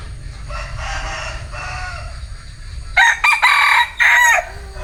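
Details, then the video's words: A faint, distant crow runs underneath at first. Then a male bantam chicken gives a loud, rasping crow in choppy segments lasting roughly one and a half seconds, over steady low background hum. "Tiếng Gà trống tre gáy"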